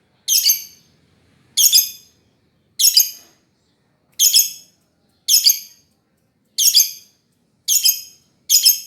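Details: Lovebird calling with loud, rasping high-pitched chirps, each a short burst, repeated roughly every one to one and a half seconds; no other sounds.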